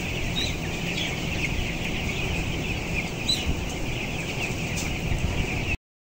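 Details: In a closed house of 11,000 broilers, upper floor, 14-day-old birds weighing 525 grams; dense chirping chorus with occasional sharper peeps above a continuous low drone, ending abruptly.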